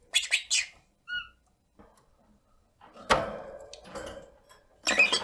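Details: A pet rosy-faced lovebird aged one year nine months chatters with rasping squawks and one clear short whistled note, while a loud thump and rustling noise fill the middle.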